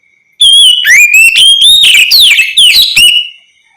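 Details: Oriental magpie-robin in ngeplong song style, played to draw other magpie-robins into answering; one continuous three-second run of rich, rapidly changing whistles with up- and down-slurred notes, a thin constant tone faintly beneath.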